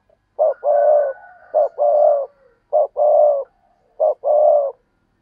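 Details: Spotted dove giving hollow, low coos in paired phrases, a brief coo followed by a drawn-out rolling one, repeated about every seventy-five seconds' fraction of a second, with a faint thin whistle from another bird behind.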